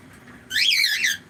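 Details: Pet cockatiel calling indoors: a loud, drawn-out harmonic screech lasting under a second, wavering up and down in pitch, with a soft steady background hum.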